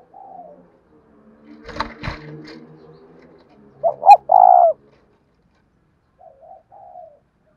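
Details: One low spotted dove coo phrase in the 'đồng thổ' voice style, two short rising notes then a long throaty coo, preceded by clattering noises and followed by soft quiet coos.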